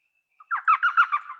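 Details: Elf owl, a small owl, giving a high-pitched call that sounds like laughing: a quick run of about six chattering, yelping notes that fade toward the end, lasting about one second.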